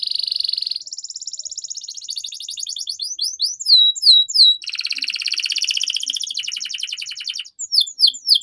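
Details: Canary song meant to teach young canaries: a steady buzzy trill, a shift to a higher rolling trill, sweeping whistled upslurs, then a long rattling trill and more quick slurred notes.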